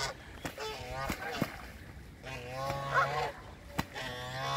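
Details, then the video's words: Squabbling Canada geese trade spaced, quavering nasal honks, a few seconds apart, with sharp clicks and knocks between calls and a steady low hum underneath. "Canadian geese fighting"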